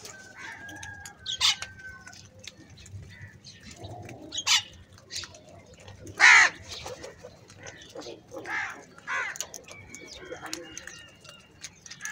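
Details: Crows gathered in the morning, squabbling over food: a few harsh, broadband caws stand out, one near the start, one mid-way and a loud one about halfway through, among scattered chirps and clicks of other birds.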